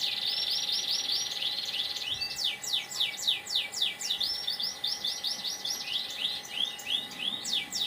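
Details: Morning canary song: varied high phrases of fast chirps, sharp downward-sweeping notes in quick series and rattling trills, changing every second or two, with a faint constant hum underneath.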